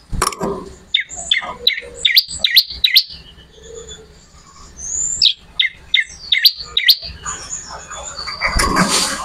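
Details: Lively bar-winged prinia song used as training material for songbirds: quick runs of piercing downslurred chirps in two clusters, split by a quieter gap with a thin sustained whistle.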